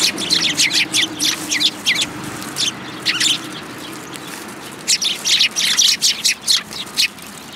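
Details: Flock of Eurasian tree sparrows arriving for food at a Tenmangu shrine, 10 February 2022: rapid runs of bright, scratchy chirps in two clusters with a short lull between them.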